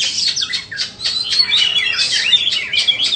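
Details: A shama, the white-rumped kind, sold as a bird, sings a fast, energetic medley of high whistles, chips and sweeping slurs without stopping.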